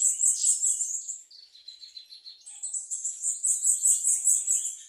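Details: High rapid twittering from a bananaquit or plumbeous seedeater, breaking into a short lower buzzy phrase, then resuming with a fast, shrill trill of repeated notes, roughly two per second.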